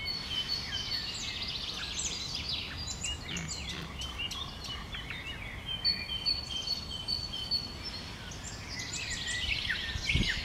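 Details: Common nightingale singing in bushes: rich, varied phrases of high whistles, rapid trills and sharp clicks over a steady hiss of background noise.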